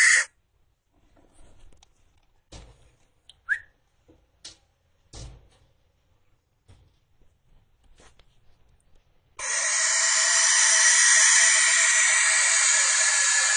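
A young barn owl gives a long, harsh, breathy hissing scream lasting about four seconds, after scattered soft clicks, taps and a brief whistle.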